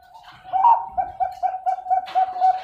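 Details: Zebra dove (perkutut) from a bird farm in Pasuruan, East Java, Indonesia, born May 2021, with a thick, big voice suited for breeding: a steady run of low soft coos, about four per second, indoors.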